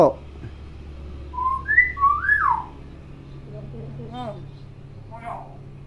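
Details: Tame, talkative hill myna said to imitate any sound, giving a few clear whistled notes that rise and swoop, followed by softer, lower wavering sounds and a faint click; quiet room hum underneath.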